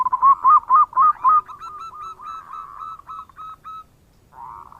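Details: Local zebra dove song used to call in other birds: five loud hooked coos, then a trailing series of quieter, fast, level notes fading out, and a final soft burred note.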